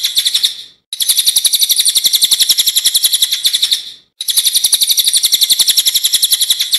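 Javan Tesia song: a dense, high, rapidly rolling trill of sharp notes that pours on almost without pause, broken by two brief silences.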